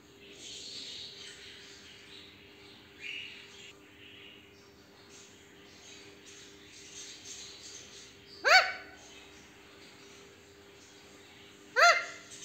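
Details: Pet parrot calling out when touched by its owner: quiet rustling background, then two loud, sharp, harmonic cries, each rising and falling, about three seconds apart near the end.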